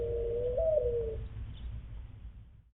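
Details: Mourning Dove nest coo, a soft, low three-note phrase stepping up and back down over a faint low rumble; males use it to draw a female to a nest site, and both sexes use it at incubation shift changes.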